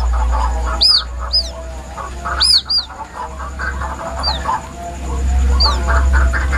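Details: White-breasted waterhen chick giving plaintive calls, used as a hunting lure: high, sharp downslurred peeps, some doubled, scattered irregularly over a steady low hum and busy mid-pitched chatter.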